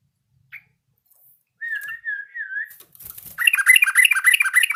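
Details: A yellow-vented bulbul that is learning its song gives a soft wavering whistle, then breaks into fast, loud, squawky bubbling chatter that runs to the end.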